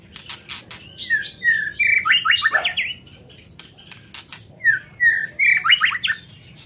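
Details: Scarlet minivet in full song: rising and falling whistled notes lead into rapid trilled phrases, repeated twice with a short gap between, over crisp clicking sounds.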